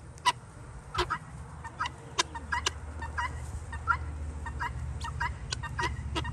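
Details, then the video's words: Free-ranging helmeted guineafowl give harsh, clipped calls in irregular bursts, a few each second, typical of their daily behaviour; a steady low rumble runs underneath. "Free ranges Guineafowls"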